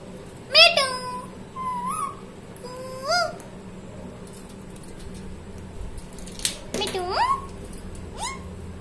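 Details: Talking parrot producing a varied series of loud, harmonic calls, some rising and some bent, with sharp clicks and a long quiet gap midway, then a burst of overlapping notes near the end.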